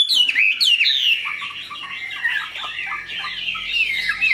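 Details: Caged Chinese hwamei, a large purebred bird, singing a rich varied song: loud swooping whistles falling from high notes, then a run of warbled, slurred phrases with quick chirps, continuous and lively.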